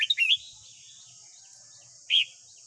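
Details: Morning song of a Red-whiskered bulbul, white-cheeked form, played daily to tame and train a young caught bird; a quick burst of three warbled notes, a pause, then one clear chirp, with a constant high hiss behind.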